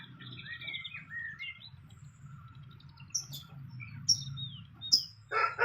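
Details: Fantail at its nest in the wild, giving clear whistled notes, a short run of level tones then rising and falling slurs, followed by sharp high chips and a burst of noise near the end.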